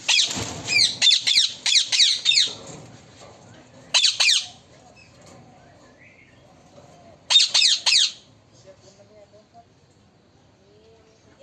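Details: Talking parrot giving bursts of harsh, high, rapid squawking notes in clusters around one, four and seven seconds. Quiet gaps between bursts, with faint soft chirps near the end.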